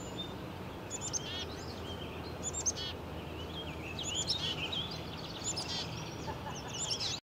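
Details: Black-capped chickadee (Poecile atricapillus) chirping on a perch on a public walking trail in Woodstock, Ontario: short, high chirps and twittering notes every second or two, over a steady low rumble of wind or distant traffic.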